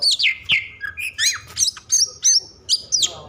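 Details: Oriental magpie-robin in an over-emotional, agitated state, singing to provoke other magpie-robins into song: loud varied whistles, sliding notes and sharp high chirps in quick bursts, with brief pauses between phrases.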